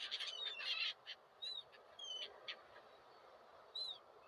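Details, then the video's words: Seagulls calling: a rapid burst of high, squealing notes with harsh overtones, followed by scattered single slurred cries that rise then fall, ending with one more sharp cry, over a steady low hiss of background noise. "seagulls 🪶mouettes 🪶gaviotas"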